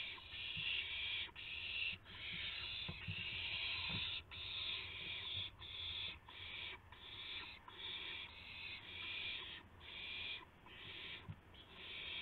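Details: Owls at a nest at dawn, 5:50 AM on 26 March 2016, as prey arrives: a gopher, then a mouse. Harsh, breathy hissing bursts repeat in an uneven series, roughly one per second, over a faint low hum.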